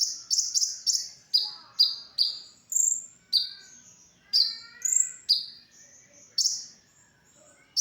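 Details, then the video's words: ['Brown-throated sunbird song as a training recording for other songbirds: quick bursts of high chirps, interspersed with thin whistled notes and softer twitters, with pauses between bursts.'] "suara original konin untuk masteran"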